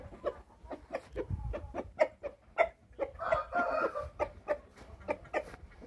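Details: A pinto Índio rooster from Paraná gives a brief, hoarse short crow in the middle, set among a steady run of short, sharp clucks about three per second.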